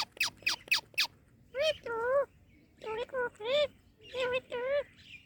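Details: Pet parrot chattering as it plays with guava: four sharp clicks open, then clusters of wavering harmonic syllables in a speech-like rhythm, with faint rustling behind.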